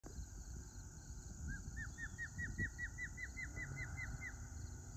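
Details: Osprey perched in a tree at Rose Valley Lake, Pennsylvania, on 9/9/22, giving a quick run of about twelve short, whistled, down-slurred chirps across roughly three seconds, over steady low rumbling background noise.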